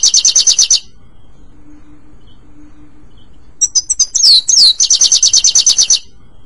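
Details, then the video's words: European goldfinch singing, a recording for training a pet bird: a rapid high trill fades into a quiet gap with a soft hum. Scattered twitters and two downward-sliding whistles follow, then a long, fast, even trill. "Legendary Goldfinch Singing"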